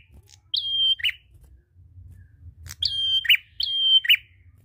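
A prinia sings three phrases, each a high, level whistle that drops into a lower buzzy chirp, about a second and a half apart, over a faint low hum.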